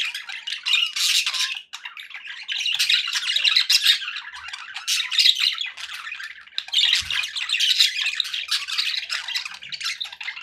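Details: Budgies calling for the company of pet parakeets, an unbroken torrent of raspy chirps, squeaks and warbling chatter, several birds overlapping.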